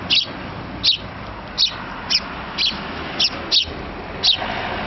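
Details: Small sparrow chick pestering its parents for food with sharp high chirps roughly every half second, eight calls against a low rumbling background.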